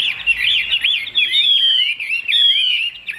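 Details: Brief, loud burst from a caged Chinese hwamei: clear whistled swoops and a long, steady fluted note, then more rippling slurred phrases.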